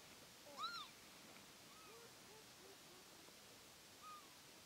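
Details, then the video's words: A Northern lapwing, a migrant of fields and farmland, gives one clear, wheezy, arched pee-wit call, followed by a few fainter slurred calls from further off against a soft outdoor hiss. "Vogelstimmen: Der Kiebitz - Lapwing - Vanellus vanellus"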